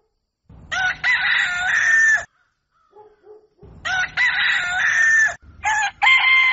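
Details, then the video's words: Rooster crowing at dawn: two long harmonic crows, each with a stuttered start then a sustained, slightly falling held note, separated by a quiet gap with faint soft clucks. "Galo Cantando Ao Amanhecer"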